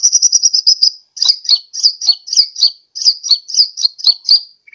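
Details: Sunbird lure call for attracting birds, from Sukabumi, Pajampangan: high, thin chirps in a rapid even series, then grouped bursts of sharp, slurred notes repeated about twice a second, with a brief lower note at the end.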